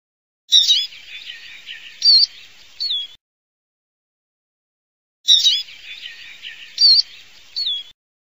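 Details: Eurasian siskin (Spinus spinus), Europe/Jura, sings a high, twittering, scratchy phrase of about two and a half seconds with sharp chirps at start, middle and end, repeated after a pause.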